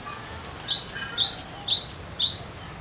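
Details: Persistent song of a cinereous tit, used to encourage other birds to sing: a steady series of bright, high two-part phrases, upper note then falling lower note, roughly two per second, over soft steady noise.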